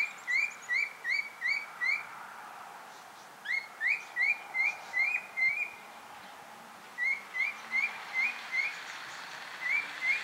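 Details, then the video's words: Grey cockatiel outside giving bursts of short upward-sliding whistles, four to six in quick succession, separated by brief pauses, with faint chirps overlapping in the middle of the series against a low steady hiss. "Grey Cockatiel Outside"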